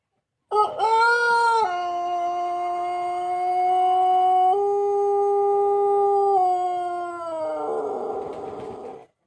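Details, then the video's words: Pelung cockerel, Plered type, Purwakarta Regency, giving a very long crow of about eight and a half seconds: sharp opening, then a sustained tone stepping up and down in pitch, ending in a rough, breaking finish. "Kompilasi Suara Ayam Pelung Plered (A.P.P) Istimewa"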